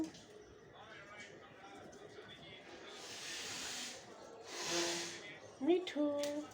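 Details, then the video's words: Pet Indian ringneck parakeet in India talks in short, raspy speech-like phrases, repeating "me too", broken by two breathy hisses and a few clear whistled notes at the end. "INDIAN RINGNECK TALKING PARROT"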